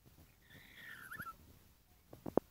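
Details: A lory offered for sale gives one drawn-out, clear whistled call that glides downward in pitch for just under a second, followed by a few sharp knocks or taps near the end.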